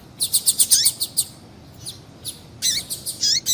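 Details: Female double-collared seedeater calling to excite a male: a fast run of about eight high ticking chirps, a pause, then a longer warbling burst of high notes with falling sweeps.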